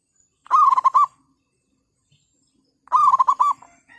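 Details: Zebra dove decoy on a cloudy morning after overnight rain, when many birds are nesting, luring wild doves: two clear phrases of rapid rolling coos, each lasting about half a second, with a pause between.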